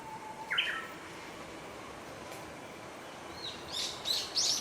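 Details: Japanese bush warbler singing along the Oppe River promenade in Ogose town, Japan, on 12 July 2021: a long low steady whistle, a sharp rising note, then after a pause a quick burst of high, clipped notes, with faint outdoor background noise.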